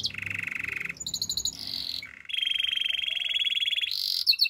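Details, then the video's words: Spanish Timbrado canary singing a training song. Varied rolls of rapidly repeated notes change from low buzzy trills to higher metallic rattles, ending with a long even trill and bright high notes. "Canaries spanish timbrado songs for training"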